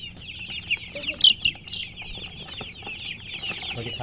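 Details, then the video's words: Chirping chicks fill the air with rapid, high, slightly descending peeps, a few standing out louder near the middle against an otherwise even crowd. "Baby "Chicks Chirping" Sound"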